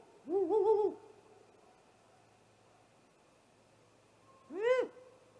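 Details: Night attack by a great horned owl on a nesting great gray owl, 30 March 2018, just after midnight, nest camera: a drawn-out wavering squall, then after a pause a single sharp rising-falling screech.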